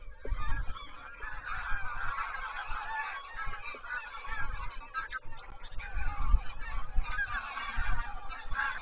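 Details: Geese flying over the Zastawie reservoir on 17 September 2023: a dense, unbroken chorus of overlapping nasal honks from many birds, with low rumbling wind noise underneath.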